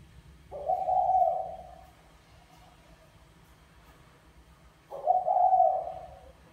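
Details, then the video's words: Spotted dove, a 'mã phấn' male courting a 'bài lối' female: two husky, low coos, each trailing off softly, about four seconds apart, with quiet background hum. "Chim Cu Gáy Mã Phấn Thúc Mái Bài Lối"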